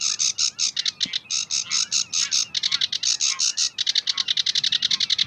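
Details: In May 2016 at Belgium's Uitkerkse Polder a sedge warbler sings a long rhythmic sequence of harsh, grating notes, repeated quickly and speeding toward the end, with a single faint click.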